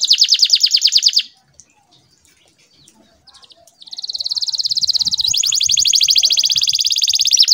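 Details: Canary in full, lively song with long rolling trills separated by pauses, used as a tutor for young birds learning to sing; a fast, high rattling trill for about a second, a silent gap, then a nearly four-second rapid roll that steps up in pitch.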